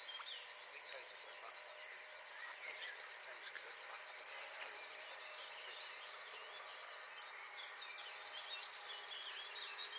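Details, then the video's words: Male River Warbler singing strongly at RSPB Ham Wall early one morning, digiscoped with a Sony RX100IV. An unbroken, cricket-like mechanical reeling of fast, even pulses keeps going with one short pause, over quiet background birdsong. "Singing RIVER WARBLER"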